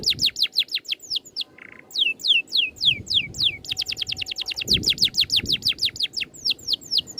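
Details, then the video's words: Oriental magpie-robin training song, rolling and dense with neat shots. Steady stream of sharp, high down-slurred whistles, briefly interrupted by a short lower buzzy note, over a faint low hum. "MASTERAN BURUNG NGEROL RAPAT TEMBAKAN RAPI"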